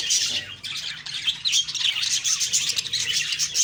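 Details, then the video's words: Budgies in the morning giving a busy warbling chatter, high chirps and brief whistles overlapping without pause. "Beautiful morning birds chirping sounds/Budgie sounds"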